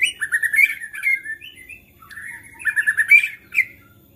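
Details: White-rumped shama singing agitatedly, said to make other shamas start singing: rapid chattering trills and bright whistled slurs in two phrases split by a short softer pause, with a sharp final chip.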